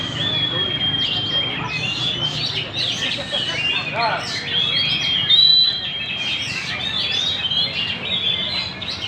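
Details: Vigorous gacor song of a magpie-robin at Banjar Indah, with long sustained high whistles mixed with quick rising and falling chirps and a brief louder burst mid-phrase, over a low background hum.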